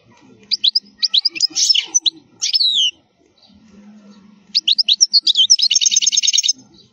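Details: Khalwi wild-style song of a European goldfinch, used as a tutor for young birds: quick high chirps, a sliding whistled note, then a fast even buzzing trill, with soft low background noise in the gap.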